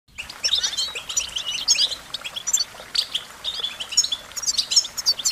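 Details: American goldfinch song: rapid, high twittering of sweet chirps, short slurred whistles and buzzy notes in quick irregular bursts, with a faint hiss of outdoor background.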